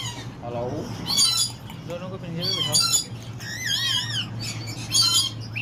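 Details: Talkative tame pair of slaty-headed parakeets at Karachi's Lalukhet birds market: chattering syllable-like notes, buzzy squawks and a wavy descending whistle, spaced in short bursts over low background hum.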